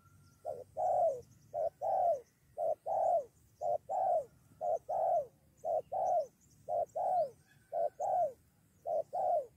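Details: Spotted dove lured toward a decoy, ready to fight: long regular series of paired coos, a clipped note then a rounded falling one, nearly a dozen pairs with faint high insect noise.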